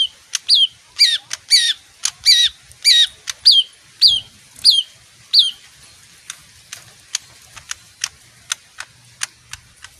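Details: Small leafbird giving a series of loud, high, down-slurred whistled notes about two per second, then fading into faint, thin ticks for the second half.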